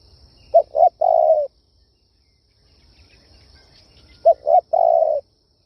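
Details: Kích bổi style luring call of a Spotted dove: two phrases, each of two brief low coos and a drawn-out coo, separated by about three seconds of quiet with faint low rumble.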